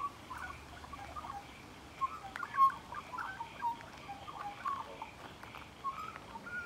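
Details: Close encounter with a magpie: a steady stream of mellow whistled notes and short gurgling phrases, rising and falling, with small clicks between them.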